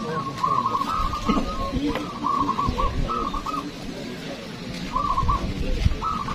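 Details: Zebra doves (perkutut) at a local singing competition deliver repeated rolling coo phrases, each a quick stuttering trill, clustered early then spaced out, with voices, thumps and low crowd noise beneath.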